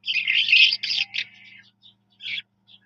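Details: Brief skylark song: a loud, dense rush of high warbling for about a second and a half, then scattered faint notes and one short final burst.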